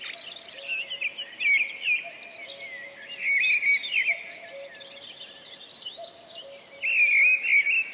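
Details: Common Cuckoo recorded in Wales in April 2004: low, soft two-note 'cu-coo' calls, each falling slightly, repeated about every two seconds beneath a loud, dense chorus of high twittering and whistling songbirds.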